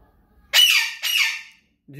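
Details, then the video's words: Alexandrine parrot that talks, kept indoors; two harsh, noisy squawk-like utterances about half a second each, the second slightly weaker, then a short low sound at the end. "Best talking parrot Raw parrot Alexdiran"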